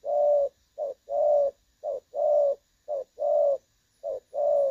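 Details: Spotted dove with a clear "đồng son" style voice, a recording used as a trapping decoy, 16 August 2024; low mellow coos in repeated pairs, a short note followed by a longer drawn-out coo, steady rhythm, quiet background.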